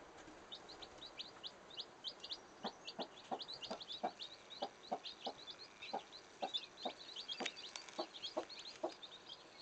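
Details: Chicks hiding under their mother hen's wings give a steady stream of soft, high peeping notes, with occasional low clucks and rustling from the hen.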